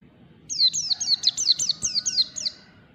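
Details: Pleci, a white-eye, practising the 'ngalas' song with beak open, delivering a rapid run of around nine bright, high downslurred whistles in steady succession, with a faint thin tone and low hum underneath.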